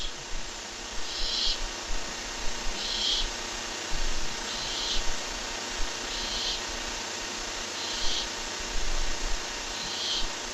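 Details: Webcam recording, 23 July 2015, of a barn owl making six drawn, breathy hissing calls at intervals of about one and a half to two seconds, with light bumps and constant hum underneath.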